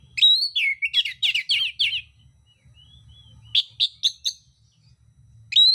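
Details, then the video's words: Combative Oriental magpie-robin, delivering coarse imitative phrases: a fast chattering series of buzzy notes for about two seconds, a pause with a faint whistle, then several sharp clipped chips and a final upward whistle; low hum behind. "kacer mintal tarung bongkar isian kasar"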